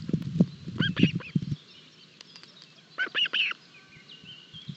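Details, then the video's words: Osprey chicks being fed at the nest in Barlinek forest on an early summer morning, 25 June 2022, live nest cam: short harsh chirping calls in two bursts, with low thumping and rustling nest noise underneath. "Breakfast for Barlinek Ospreys."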